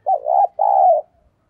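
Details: Spotted dove used as a decoy, sát bổi voice: a pair of loud, mellow coos, a short wavering note then a longer sustained one, in otherwise clean silence.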